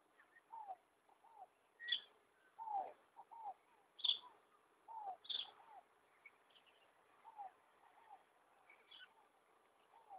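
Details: Free-living hyacinth macaw on a rural property at Ilha Solteira along the Rio Paraná, giving repeated harsh, downslurred squawks roughly every second or two, some with sharper high notes, against a calm background.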